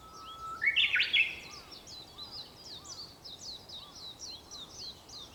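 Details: Japanese bush warbler song early on the morning of 4 May 2021, around sunrise: a short level whistle leaps into a loud, ringing, rising phrase. A dense chorus of high, quick chirps from other birds continues behind it.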